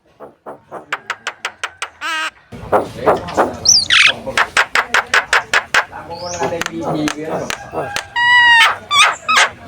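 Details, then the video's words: Javan myna in lively contest-ready song, used to prompt other birds: rapid rhythmic clicking series, a brief nasal trill, a squeal and a long buzzy harmonic note. "SUARA PANCINGAN ORIGINAL BURUNG JALAK KEBO GACOR SIAP LOMBA"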